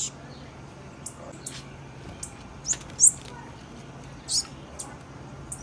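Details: Female blue-black grassquit giving brief, sharp, high-pitched chips, two louder notes close together near the middle, amid faint ticking and a low background hum.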